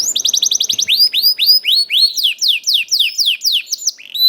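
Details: Young canary song to encourage other canaries to sing; a fast burst of short notes, then a steady series of loud rising and falling whistled slurs.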